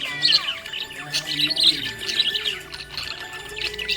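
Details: Budgerigar in happy mood chirping busily, bright high twitters rising and falling in quick succession, with a soft low drone behind.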